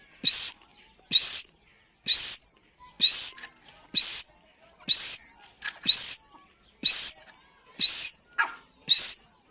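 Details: Female grey francolin, a dakhni teetar, giving a loud, clear whistled note that rises then levels off. It repeats about once a second, nine times in a steady series, with faint clicks between the calls.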